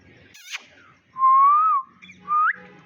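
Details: Pet green Indian ringneck parakeet whistling, described as sounding like a human; two clear whistled notes, the first long and gently rising then falling, the second short and rising, with faint chatter before and after.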